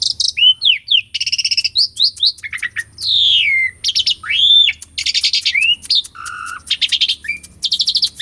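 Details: Asian pied starling singing vigorously, recorded live as a lure to set off a bird that has stopped singing: loud alternation of buzzy rasps, clear slurred whistles rising and falling, and rapid chattering bursts, nearly continuous.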